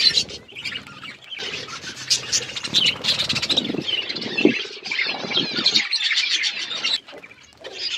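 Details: Wild parrots squawking and squealing in bursts, shrill high notes broken by brief pauses, with a few lower rough sounds mixed in.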